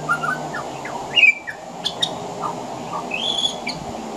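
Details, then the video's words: Male pied butcherbird singing from a veranda, weaving imitations of other Australian birds into its song: brief pure whistles, one loud upslurred note, quick clicks and a thin high whistle near the end, against a constant background hiss. "Mimicry of the pied butcherbird"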